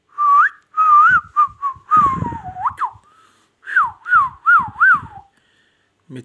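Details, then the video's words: Pet ring-necked parakeet from Pakistan, indoors, producing mimicked whistled phrases: smooth warbling notes with a looping up-and-down pitch, grouped in short bursts with brief pauses and a run of four wavy whistles near the end. "magical ringneck talking |parrot"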